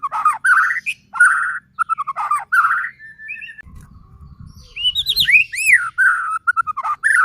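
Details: White-rumped shama song meant to provoke rival shamas into singing: loud whistled phrases, a short pause with low rumble, then high sweeping arched notes falling back to mid-pitched whistles.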